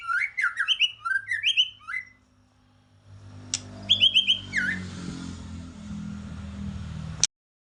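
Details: White-rumped shama fighting song, used to provoke rival birds: a burst of sharp whistled slurred notes, a pause, then a few more phrases over rising rumbling noise that cuts off abruptly.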